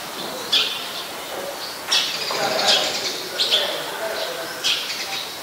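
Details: Eurasian tree sparrow, a very common resident, recorded in Ubon Ratchathani, Thailand, on 10 May 2020: short, sharp, high chirps given singly at irregular gaps of about one second, over a soft mid-pitched background murmur.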